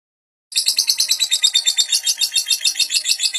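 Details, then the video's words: Lovebird chattering song used as a master recording for training young lovebirds; dense, fast, high buzzy chirps repeated about twice per second in a continuous rapid stream after a short silence. "Burung lovebird durasi panjang tanpa jeda.. Cocok buat masteran lovebird paud"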